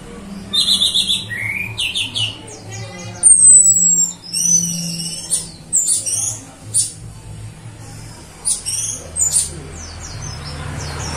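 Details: Female orange-headed thrush whistle played to lure birds: bursts of high, varied chirps and trilled phrases separated by short pauses, one clear descending whistle, low background hum.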